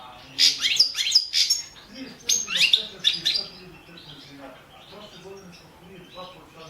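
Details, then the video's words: European goldfinch, Balkan form balcanica, singing for a 2017 world goldfinch-song championship recording; a rapid tumbling run of high twittering notes in the first half, then quieter scattered chirps fading out. "World championship in Goldfinch Song 2017"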